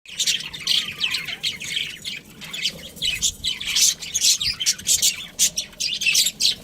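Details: Pet budgerigars chirping at home, a busy stream of high, scratchy chirps and warbles packed closely together with short pauses, several birds seemingly overlapping.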